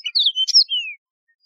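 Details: Mozambique serin, or yellow-fronted canary, a wild canary, singing a brief ringing phrase: warbled whistles, a sharp bright chirp, then a long clear whistle gliding steadily downward; silence after.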